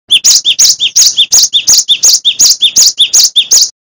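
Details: Persistent Cinereous tit song, offered as training material for other songbirds, with a quick loud two-part phrase repeated about eleven times before ending abruptly in silence.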